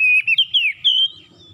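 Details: A short strain of oriental magpie-robin morning song, played to coax a reluctant kacer to sing. Loud, level whistles rise in steps and then fade, with faint low murmuring behind them.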